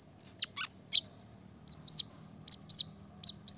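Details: Brown-throated sunbird song played to provoke rivals: a few falling scratchy notes, then loud high arched chirps in pairs, over a steady thin high hiss.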